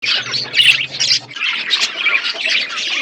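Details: Budgerigars in an aviary set in a forest environment, a dense flock chatter of overlapping warbles, squeaks and chirps running without pause; a faint low hum sounds through the first second.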